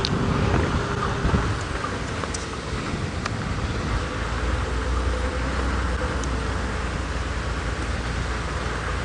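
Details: Steady engine and road rumble from a vehicle on a sunrise safari drive, with a few faint ticks and knocks.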